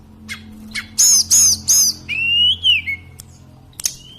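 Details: Sunda robin, called sulingan gunung, singing steadily: three loud high slurred whistles in a row, then a long lower level whistle that dips at its end, followed by a few faint ticks.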